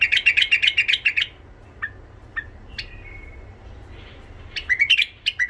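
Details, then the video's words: Tame Iraqi white-eared bulbul with a rough, golden-throated voice, singing. It opens with a run of loud, rapid, chattering notes, then a few isolated short whistles and a brief thin trill, and ends with another burst of quick repeated phrases. "تغريد بلبل عراقي ابيض الخدين اليف صوت خشن حنجره ذهبيه"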